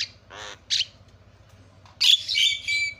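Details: Lure recording of a Javan myna to prompt other mynas to call: a few harsh, raspy squawks, then a longer grating, buzzy outburst near the end.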